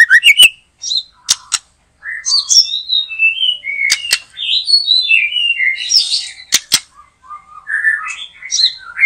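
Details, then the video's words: White-rumped shama singing in a backyard during bird trapping, said to be in full song: a varied run of rich whistled and chattering phrases jumping between low and high notes, broken by sharp clicks and brief pauses. "Mikat Burung Murai batu,,Sudah gacor dorrr"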